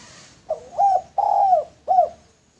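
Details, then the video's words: A single full coo phrase from a male spotted dove used as a decoy. A short hooked note leads into a sustained descending coo and a final curled note. "Derkuku Tekukur Jantan Cocok Buat Pancingan"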